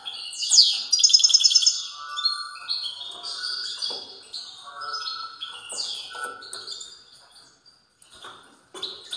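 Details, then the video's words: European goldfinch giving a strong song: rapid twittering and tinkling phrases, buzzy trills and descending sweeps at high pitch, loudest near the start, fading toward the end with a short pause. "تغريد قوي لطائر الموقنين"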